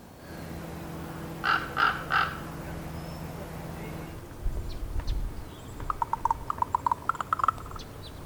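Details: Female raven communicating with her mate: three quick throaty croaks in a row, then after a pause a rapid rattling series of knocking clicks, with low background hum.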